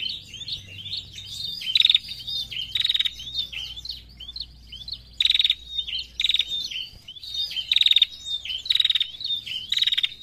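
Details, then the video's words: Female prinia calling busily in narung fashion, about seven harsh buzzy rattles over the passage, interleaved with high slurred chirps and thin whistles. "PRENJAK BETINA GACOR NARUNG MANTAP"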